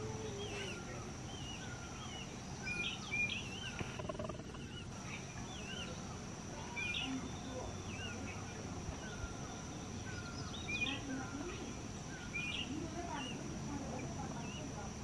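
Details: Brown Bullfinch, a quiet resident of hilly forest in South Sikkim, India, recorded in 2020, gives short, soft whistled notes, often slurred up or down, scattered irregularly over a steady high insect drone and low background rumble.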